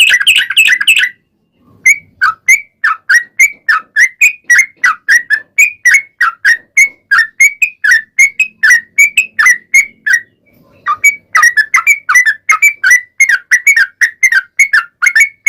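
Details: Lure song of a yellow-vented bulbul, played to prompt other yellow-vented bulbuls to sing back: a long sequence of quick, liquid, slurred notes repeated about three times a second, with a brief pause near the start and another near the end.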